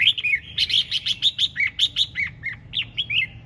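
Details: Red-whiskered bulbul singing 'ché chẻ' style: a steady run of about fifteen bright whistled notes, roughly four per second, each slurring downward, over soft background hum.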